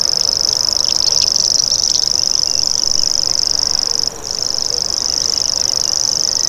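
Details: Common grasshopper warbler reeling in a long, high, insect-like buzz, pausing for a split second near the four-second mark before resuming, with occasional faint chirps from other birds.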